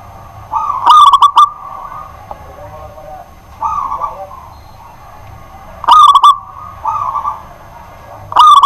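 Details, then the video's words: Zebra dove of a local strain singing at night as a kept bird: short phrases of soft rolling coos, each cluster led by a loud, crisp burst, repeated about every five seconds over quiet low background hum. "BURUNG PERKUTUT LOKAL GACOR DI MALAM HARI"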